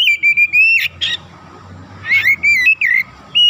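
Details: Oriental magpie-robin in strong song as a lure to fire up other birds: rapid clear whistles, a raspy burst, a brief lull, then more ringing slurred notes.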